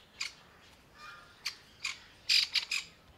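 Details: Grey francolin mother panicking for her newborn chicks, hiding by camouflage among brown dried leaves in summer; scattered sharp notes building to a loud, rapid harsh burst near the end.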